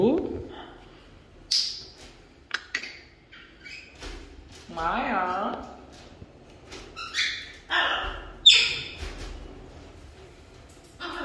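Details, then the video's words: Pet African grey parrots at home, with a person trying to hold a conversation with them. Squawks, bright chirps and speech-like phrases are mixed with a person saying hello. "Talkative Birds - African Greys Parrots"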